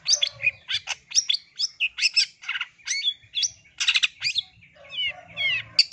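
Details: Long-tailed shrike pouring out varied scratchy chirps, harsh buzzes and short slurred whistles in rapid succession, with a few lower notes toward the end.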